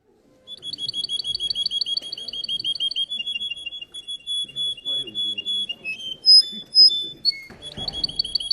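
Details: Russian canary singing at a contest: rapid repeated trills of high pulsed notes, shifting into a lower rolling trill, then a few loud sharp whistled notes near the end, over a soft low murmur of people and some handling noise.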